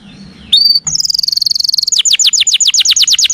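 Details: Canary master song meant to provoke pet canaries into singing: a brief whistle, a sustained high note, then fast trills of sharp descending notes at a steady rapid pace.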